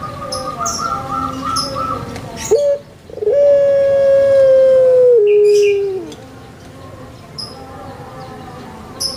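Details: Kept Barbary dove, the puter pelung of Java, Indonesia: a short rising note, then one long, steady, drawn-out coo of about three seconds that steps lower before it fades. Faint chirps of other birds sound around it.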